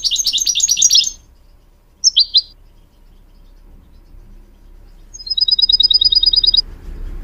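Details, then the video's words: Goldfinch song used to train mules and a canary: a fast twittering phrase, a pair of crisp chirps, then a long, even trill of high repeated notes over a faint background hum. "Teaching goldfinch mules and canary to song"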